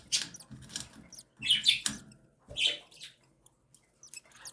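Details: Cockatiel chicks, one and seven days old, begging while their mother feeds them: soft raspy high squeaks in short bursts, a few louder wheezy cries, with quiet rustling between.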